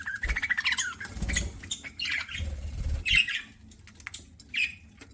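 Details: Eating pet budgerigar gives a wavering warble at the start, then scattered harsh squawks and chirps, with dull low knocks in between.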